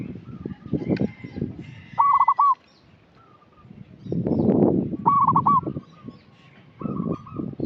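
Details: Local zebra dove serving as a lure for inexperienced young birds: two rolling, stuttering coo phrases with quieter level notes between, amid bursts of low rumbling background noise.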